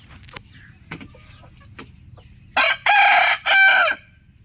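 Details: Rooster crowing: a loud, hoarse, multi-part cock-a-doodle-doo in three bursts, the last drawn out and falling, after soft scattered clucks and knocks.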